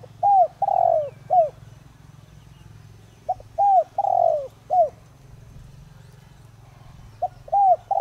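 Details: Decoy spotted dove singing in the Đồng Rặc voice style to stir others to call: three repeated phrases of clipped, hollow coos, each with a long, drooping middle note, over a steady low background hum.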